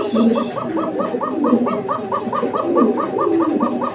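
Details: A pair of original Koka pigeons at a farm in Uttara, Dhaka, recorded 11 May 2025; one gives a fast, rolling coo of throaty pulses, about four a second in a steady run. A man's voice is faintly heard underneath.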